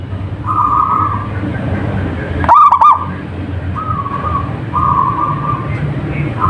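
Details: Single loud, bubbling, stuttered coo phrase from a local zebra dove midway through, surrounded by repeated flat humming tones and low background noise.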